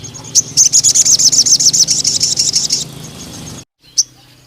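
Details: Male crimson sunbird in spotted juvenile plumage, singing a tutor song: a steady, rapid run of about twenty shrill, high notes, then a brief silence and one last chip.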